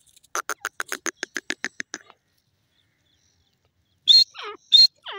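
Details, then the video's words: Francolin calling: a fast run of about fifteen clipped, even notes over two seconds, then, after a silent pause, two loud harsh calls, each trailed by a lower slurred note. "dasi Teetar bird sound,irani teetar ki awaaz"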